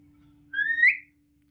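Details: Common hill myna, a talking pet bird kept indoors, gives one clear rising whistle lasting about half a second, climbing steadily and ending on a brighter, louder note; a faint low hum runs underneath.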